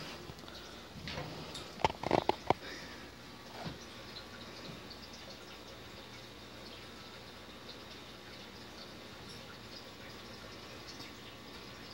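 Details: A quiet indoor room with steady low background hiss and a brief cluster of sharp clicks and knocks near the start, with no animal sound.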